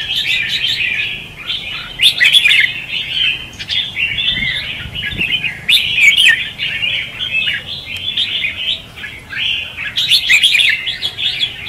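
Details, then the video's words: Red-whiskered bulbul decoy song in the 'ché' and 'xòe' style, played to trap birds or train them: bubbling, tumbling warbles repeated without a break, with bright, emphatic bursts roughly every four seconds. "Chào mào Luyện giọng | Hót Ché - Xòe hay Đỉnh cao từ trước tới nay , Bẫy đấu Chim Chào mào"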